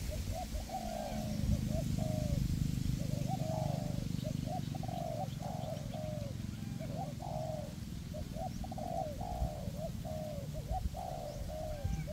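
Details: Two caged spotted doves serving as decoys, one on a perch and one on the ground, calling in forest to lure wild birds. Rapid, overlapping coo phrases run almost continuously with a steady low rumble beneath.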